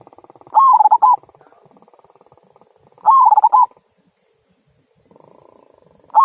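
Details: Local zebra dove 'kung' song, used to encourage other birds to sing: rhythmic bursts of clipped cooing notes every two and a half to three seconds, with a low steady hum in the gaps.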